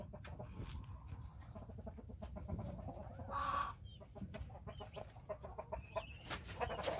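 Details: Farm flock of helmeted guineafowl following a hen gives rapid, repeated harsh clucking chatter, with a brief louder squawk partway through and a sharp high call near the end.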